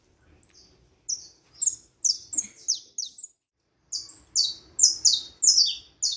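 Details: Saffron finch song in two runs of rapid, high, descending chirps, the second louder and denser, separated by a short pause; background otherwise quiet.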